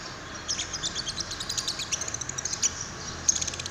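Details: Lovebird prompting call, labelled paud; rapid, evenly spaced high chirps over a noticeable hiss of background noise.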